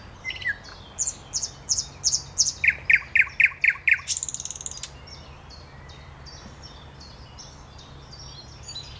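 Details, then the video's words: Thrush nightingale singing on 8 May 2022: a fast, loud series of sharp repeated notes, about four per second, building in strength, ending in a dense buzzy rattle, followed by faint distant chirping from other birds. "Słowik Szary"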